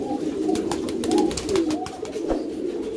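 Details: Pouter pigeons, a fancy breed of domestic rock dove kept in a loft, giving deep throaty coos with short rising inflections, mixed with sharp clicks and knocks of birds moving.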